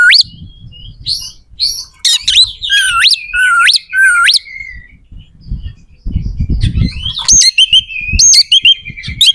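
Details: Singing oriental magpie-robin, its harsh, varied song meant to make opposing magpie-robins more aggressive before competitions: looping, swooping whistles rising and dropping, with buzzy high notes and a burst of low rumbling midway.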